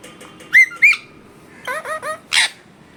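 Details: Parrot beside its owner, producing two loud rising squeaky squawks, then a quick series of four bright chirping notes and a final harsh, noisy screech, all in a quiet indoor setting.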